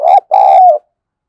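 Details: Decoy spotted dove used to provoke wild doves, with a harsh, scolding 'thổ sấm' voice. One loud hoarse two-part coo: a short burbling note, a brief gap, then a longer steady note that slurs downward at the end. Quiet background.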